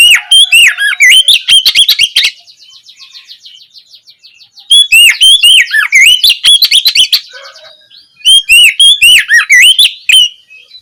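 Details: Ngeplong-style white-rumped shama song used in the evening to prompt caged shamas to reply; three bursts of loud, varied whistled phrases with sharp slurred notes, separated by quieter rapid chattering trills.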